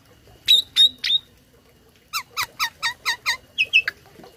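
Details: Tame Asian pied starling with a loud song loaded with copied phrases, used to tutor other birds so they answer. Three sharp whistled notes, a pause, then a run of seven repeated downslurred chirps ending in quick high whistles.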